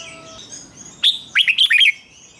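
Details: Red-whiskered bulbul in the doubled song style, played for birds to copy: a lone sharp high note, then a quick burst of five bright, warbled, up-and-down whistles.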